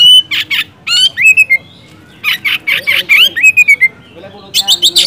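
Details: Energetic song of an Oriental magpie-robin, meant to rouse reluctant birds to sing: dense bursts of scratchy notes alternating with clear sliding whistles, phrases tumbling quickly one after another.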